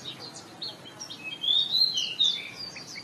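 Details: Soft chirps from an Oriental magpie-robin in the morning, building into a louder drawn-out whistled phrase, with steady background hiss.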